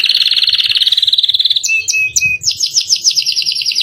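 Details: Captive canary singing in a rich, varied style used as a master recording for training birds: fast buzzy trill repeated rapidly, then pure whistled notes and a run of chopped rising trills.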